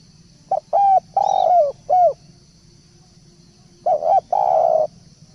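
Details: Decoy call of a spotted dove: two phrases of quick short coos wrapped around a longer, drawn-out coo, with a low rumble and steady high insect noise behind.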